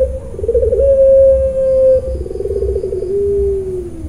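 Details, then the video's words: A Barbary dove (puter pelung) gives a low, drawn-out coo: a quavering start, a long steady note, a rolling trill, then a slowly falling close, all on one mellow pitch. "puter pelung nangiss"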